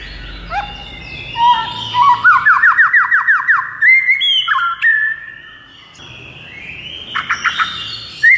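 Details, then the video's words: White-rumped shama singing, played to rouse a mute bird: a rapid rising trill of about a dozen upswept notes, then whistled phrases, followed by quiet and a burst of harsh chips. "JADIKAN MURAI BATU BISU LANGSUNG NGAMUK DAN GACOR MENDENGARNYA"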